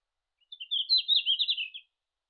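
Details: A wild Red-flanked bluetail sings in Japan in June: one short, high warbled phrase of about a second and a half, quick bright notes dipping and rising, over a silent background.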